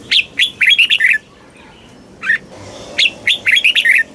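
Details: Southern master-style song of a red-whiskered bulbul, used to stimulate caged birds and tutor young ones: two fast phrases of bright whistled, slurred notes framing a single brief note and a quiet gap.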